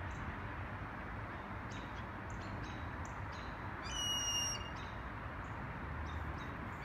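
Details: A blue jay in Toronto gives one short, ringing call with a bright, harmonic tone, with faint chirps here and there over a steady low rumble of wind or traffic.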